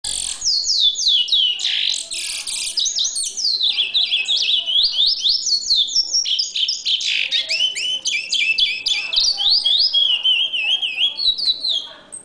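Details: Caged chestnut-bellied seed finch singing to a rufous-collared sparrow: a fast, continuous run of high, sweet whistled and warbled notes with rapid slurred upward and downward sweeps, sustained without pause.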